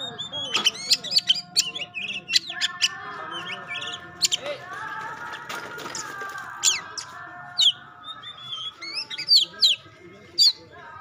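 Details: Oriental magpie-robin of the pastol variety delivering sharp, clipped whistled notes and brief trills, spaced irregularly, with a steady hum and some noise behind.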